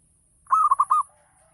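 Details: Local Javanese zebra dove giving a full 'ngayer'-style lure song meant to prompt other doves to answer: one quick phrase of five rounded, mellow coos, each bending slightly in pitch, run together in under a second.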